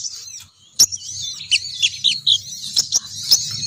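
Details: Sogon bird female call meant to attract males down: a loud sharp click, then a string of high, slurred whistled chirps repeated roughly every quarter second over faint low hum.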